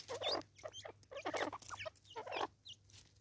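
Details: Raucous grating cackles of a lone female Natal spurfowl in South Africa, 2024, given in rough, rapid clusters roughly once a second, each burst harsh and broad, with short pauses between.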